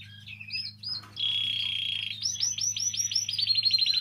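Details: Canary singing, played to stimulate canaries: a few swooping chirps, a steady held whistle, then repeated arched notes that quicken into a rapid, even trill, with a constant low hum.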